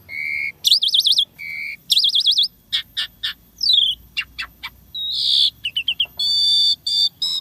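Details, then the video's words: Asian pied starling (Jalak Suren) singing prolifically in the isian tembakan style, a full fill-in of unique sounds. Pure whistles and wavering trilled phrases mix with sharp clicks, a harsh buzzy burst and quick rattling notes. "Jalak Suren Isian Tembakan Mewah Gacor Full Isian Suara Unik Kreasi Terbaru"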